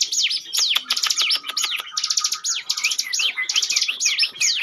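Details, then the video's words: Bar-winged prinia in ngebren song for luring, busy stream of high buzzy trills and falling whistles, some rapid clicking ticks in the first two seconds. "ciblek gunung ngebren"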